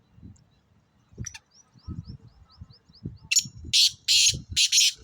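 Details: Black francolin recorded near Khushab giving a loud series of harsh, rasping notes, four closely spaced bursts near the end, preceded by a thin repeated whistled series from another bird and low background rumble.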